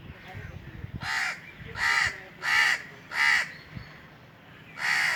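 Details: Harsh repeated cawing of an Indian crow on top of a tree in the summer heat: four evenly spaced rasping caws, a short pause, then one more, with soft low background noise before them.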